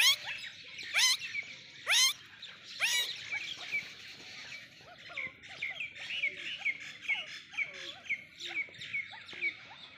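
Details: Golden pheasant calling with four loud, harsh, upward-sweeping notes roughly once a second at the start, then a dense chorus of smaller birds chirping and whistling.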